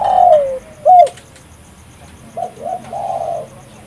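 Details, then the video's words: Spotted dove (tekukur) calling as a trapping lure: a drawn falling coo and a short hooked note, a pause, then two quick coos and a longer burry coo. "suara burung tekukur gacor paling ampuh untuk pikat dan pancingan"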